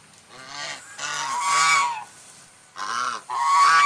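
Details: White swan calling in a run of hoarse, trumpeting honks, two long bursts followed by two quicker ones after a brief pause.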